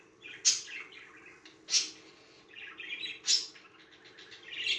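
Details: A pet budgerigar excited by music gives a bright, chattering warble, with sharp high chirps breaking in every second or so.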